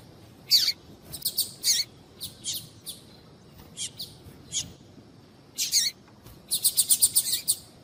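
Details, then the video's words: Female double-collared seedeater calling to stimulate a cold male to sing tui tui: loud high chirps in separate bursts with pauses, ending in a fast even series of about seven clipped notes. "Esquentar Coleiro Tuí Tuí Com fêmea Chamando"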